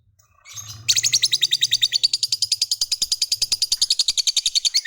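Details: Fighter lovebird giving a long ngekek trill, a song meant to prompt other lovebirds to answer. After a short lead-in, a rapid chattering trill of about seven high notes per second runs without a break, over a faint low hum.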